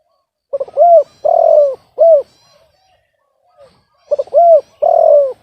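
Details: Off-key spotted dove. The same phrase is given twice: a clipped double note, a hooked rising-falling coo and a long grainy descending coo, the first phrase followed by one extra coo, with a pause between phrases.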